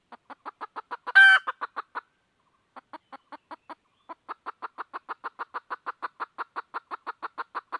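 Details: Red junglefowl hen seeking a male delivers quick, regular clucking over the whole stretch, with one loud rasping squawk in the first seconds and a short pause midway.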